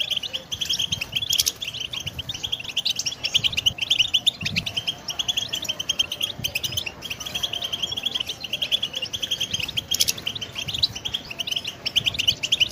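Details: Long stretch of goldfinch song for training birds: steady high twittering and trilled chirps with occasional sharp bursts, over a faint low hum.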